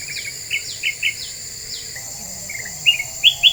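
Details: Black-winged bulbul lure song: a brief triple chirp, then well-spaced sharp whistled notes, some swooping downward, against a constant high-pitched insect drone.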